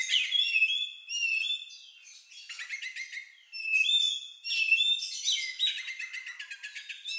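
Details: Lovebird-like odd song from an Oriental magpie-robin, used to prompt other birds to sing: clear whistled notes alternating with clicking trills and rising slurs, delivered in several quick phrases with short pauses.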